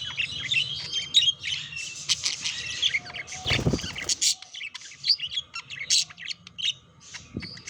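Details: Budgies in courtship and mating, with busy warbled chatter of chirps and buzzy squeaks, interrupted midway by a brief low thump or rustle, then bright sharp notes and clicks.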